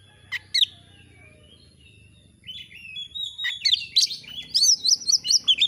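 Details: Oriental magpie-robin (kacer) in full vigorous song: a few isolated sharp chirps open the phrase, then a fast run of high whistled, warbling and slurred notes builds and grows louder toward the end.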